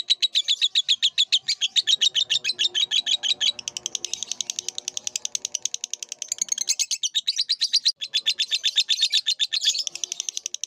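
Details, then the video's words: Lovebird song as a long training recording for cage birds: a continuous fast rattling chatter of high buzzy notes, about four per second, with faint low background noise. "MASTERAN BURUNG LOVEBIRD DURASI PANJANG"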